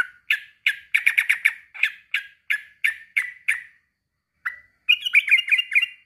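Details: Calling a rival, a male sooty-headed bulbul gives a string of bright downslurred chirps about three per second, briefly clustered faster, then after a pause a rapid bubbly chatter.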